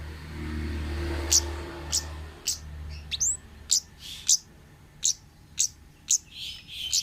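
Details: Wild orange-headed thrush giving short, sharp high notes roughly every half second, with a few upward-curving whistles. A low hum fills the opening two seconds.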